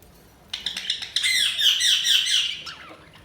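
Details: Budgerigar chirping in a rapid, high-pitched warble of scratchy, tumbling notes that starts after a short quiet pause, swells and then fades, recorded indoors.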